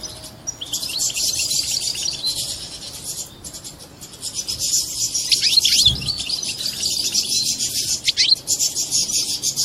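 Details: European goldfinch mating song, after which a female is said to take the mating posture: a dense, continuous high twittering with buzzy trills and a few quick rising sweeps, carrying on for nearly ten seconds.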